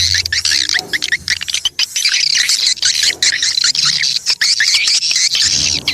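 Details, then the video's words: Swiftlet lure call used to attract swiftlets: busy chorus of high twittering and buzzy chirps, continuous and dense with short dips, some faint low sounds underneath. "Suara tarik burung walet"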